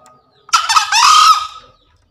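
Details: One loud, hoarse crow from a green junglefowl, used as a daily training sound for newly caught or silent birds. A gravelly opening syllable runs into a longer, harsh, strained note lasting about a second, then cuts off cleanly.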